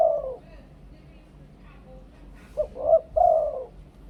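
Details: Thai spotted dove in the two-kuk 'khu-ang' cooing style: one falling coo at the start, a quiet gap with faint murmurs, then a short note followed by two longer hollow coos.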